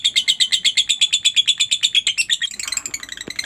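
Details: Lovebird vocalising to provoke quiet lovebirds into answering: an evenly paced series of shrill, squeaky notes, around eight per second, shifting into a softer, scratchier jumble near the end.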